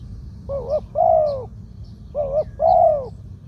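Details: Spotted dove in the two-'kuk' 'khu-aang' song style, medium voice, kept as a ground decoy bird: two mellow coo phrases, each a wavering short note and a longer arched one, with brief faint chirps between.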